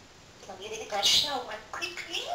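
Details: Pet parrot talking in a rapid, squeaky voice early in the morning, a short burst of speech-like phrases with shrill syllables rising and falling, one bright peak in the middle.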